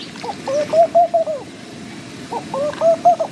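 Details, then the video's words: Two phrases from a laughing dove: each a gentle run of low, soft coos, rising slightly then falling, with a pause between, against a constant hiss of background noise. "Laughing Dove - Calls"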